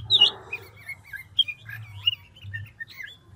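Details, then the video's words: Chinese hwamei of the ngũ trường type, old and wild-caught, in voice-switching song. A short noisy burst is followed by scattered whistled notes, some rising and some falling, sung quietly with gaps between them. A low hum is present throughout. "Họa mi ngũ trường đảo giọng tốc độ"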